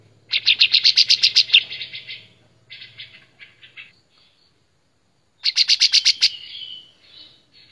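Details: White-shouldered triller song used as a master recording for training songbirds: a loud, rapid burst of high, clear repeated notes ending in a slurred trill, then softer scattered notes, a pause, and a second fast burst of chattering notes.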